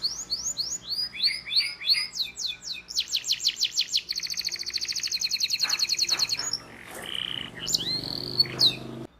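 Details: Varied canary training song for young canaries: swooping chirps repeated in a row, a sharp pulsed trill, a long buzzy roll, then softer whistled notes against low background noise.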